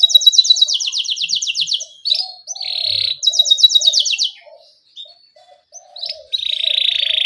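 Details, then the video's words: Actively singing canary in a rolling 'ngerol' style with 'cuit cuit' chirps, used as a lure recording to get young canaries singing: fast buzzy trills and rapid descending sweeps, broken by short pauses, over faint low cooing notes. "Pancingan Kenari Gacor NGEROL Cuit CUIT Rekomendasi buat MASTERAN Kenari PAUD agar Cepat BUNYI"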